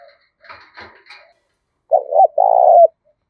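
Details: Spotted dove song in the harsh thổ đồng style, meant to provoke wild birds into fighting. Faint scratchy chirps come first, then one clear phrase of a quick double coo and a long falling coo.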